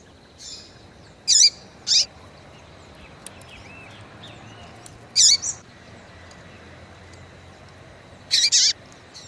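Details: Yellow-bellied seedeater female (coleiro baiano) calls to arouse males. She gives bright, high chip notes in loose pairs and singles: a pair early on, a lone note mid-way, and a closely doubled burst near the end, over faint steady background noise.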